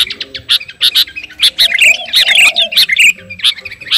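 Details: Sooty-headed bulbul, a 'kutilang garuda', in full song while calling to a rival: bright, clustered chirps and short squawky notes in rapid bursts, with a lower warbled phrase in the middle.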